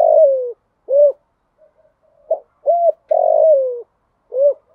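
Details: Female spotted dove, a decoy calling males in 'thổ pha' style, giving repeated phrases of mellow coos, each with a long downward-sliding coo followed by a single arched ending note.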